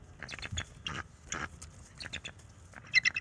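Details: Bald eagles at their nest on a close-up nest camera, March 7, 2024, the young male warning off an owl perched nearby; bursts of high, harsh chittering notes come in short clusters over low background rumble.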